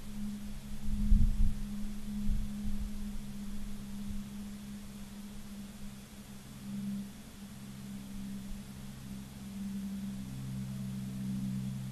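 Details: Steady low electrical hum with a few wind-like rumbles early on, and no animal calls.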